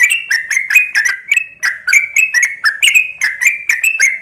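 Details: Female sooty-headed bulbul calling a male: a fast, steady run of short bubbly chirps with clicky edges, roughly four to five notes per second, pitch stepping up and down.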